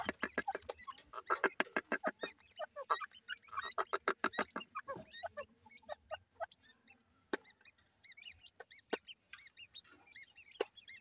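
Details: Grey francolin (teetar) chicks feeding: a burst of rapid dry clicking and pecking sounds first, then thin, high, arched peeping notes repeated irregularly, soft against a quiet background with occasional sharp taps.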